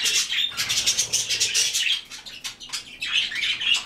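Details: Quick, scratchy chirps from white-faced cockatiels, about three or four per second in uneven bursts, with a few clearer whistled squeaks toward the end.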